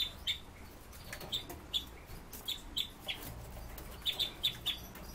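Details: Caged Red-billed leiothrix sounding clipped, high chip notes, some doubled, scattered across a few seconds and bunched into a quick run of four near the end, above a soft background hiss.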